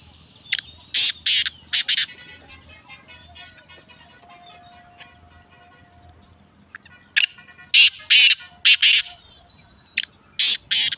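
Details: Pet black francolin calling in clustered series of harsh, strident rasping bursts, three quick notes, a pause of several seconds with faint whistling birds in the background, then further bursts in pairs and triplets.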